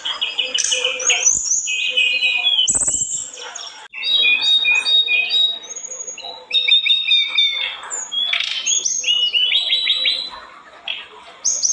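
An olive-backed tailorbird sings a busy, varied stream of high chirps, trills and sharp whistled notes in rapid bursts, with brief pauses between phrases.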